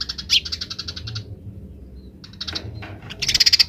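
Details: Wild house sparrow chirping in the grece style, with wild sparrows answering. High sharp chirps come in a quick burst of about ten notes, a pause, then more scattered chirps and a dense closing chatter over a low steady hum.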